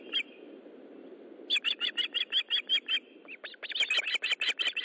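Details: Evening fish delivery at an Osprey nest, 13 July 2012, 20:15; a single note, then a steady string of loud, shrill, evenly spaced chirps about six per second, a brief gap, and a faster, denser run over low background hiss.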